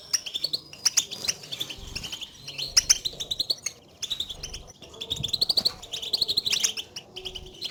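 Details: European goldfinches giving contact calls, sounds used to call one another and signal their location, played to stir a silent bird into song; bursts of high liquid twittering alternate with short lulls across nearly eight seconds.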